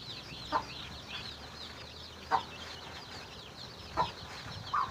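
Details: Hen finding food for her chicks gives four loud, short clucks spaced about one and a half seconds apart over steady high peeping from the chicks.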